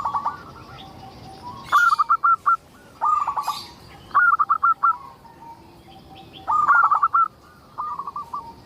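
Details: A local-type zebra dove in persistent song, played to draw other zebra doves into singing; short rhythmic phrases of rapid, clipped coos recur every second or so, with thin bird chirps faintly higher up.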